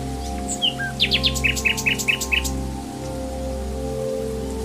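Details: Wild common nightingale opening with a few varied whistles, then a series of about eight loud, evenly spaced rising notes, over a persistent low hum.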